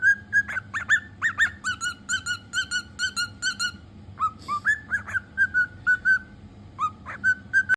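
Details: Cockatiel kept as a pet, calling indoors: quick runs of clear whistled notes, evenly pitched and rapidly repeated, broken by a few harsher squawky bursts and brief pauses.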